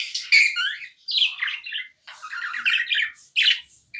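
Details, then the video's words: Continuous budgie chirping from a tamed pet: bright, warbled chirps and buzzy trills in quick phrases, each separated by a brief gap, ending on a sharp high note. "Non stop budgie chirping sounds"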